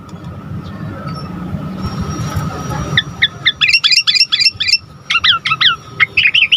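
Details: Asian pied starling singing as a lure for other starlings: after about three seconds of hiss and low rumble, a fast run of sharp repeated chirps and short slurred whistles begins and continues to the end.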